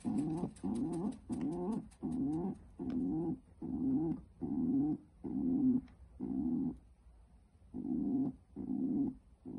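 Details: Female pet pigeon defending her nest, giving a long series of low, throaty grunts roughly one per second, each a short buzzy burst with brief pauses between, in a small indoor space.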